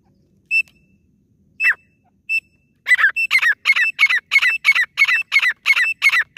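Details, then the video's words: Female grey francolin call, used as a hunting lure: three spaced, sharp whistled notes, then a rapid run of harsh, rasping notes repeated about three times a second, loud and steady. "deshi teetar awaaz | female teetar awaaj"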